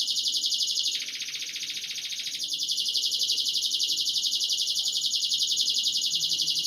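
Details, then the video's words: Canary breeding-conditioning song aimed at females: a sustained rapid rolling trill, briefly broadening into a fuller, lower-reaching buzz before returning to the steady high roll. "Ultimate Canary Breeding Conditioning Audio — Boost Your Female’s Mating Instincts Fast"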